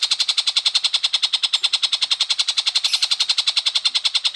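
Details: Long-tailed shrike singing energetically, recorded as tutor song for white-rumped shamas: loud, dense, scratchy chattering notes repeated fast and steadily, about seven each second, without a break.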